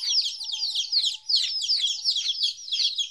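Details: Chicks aged two weeks, first time without their mother, peeping loudly in clustered high descending notes with brief gaps between bursts.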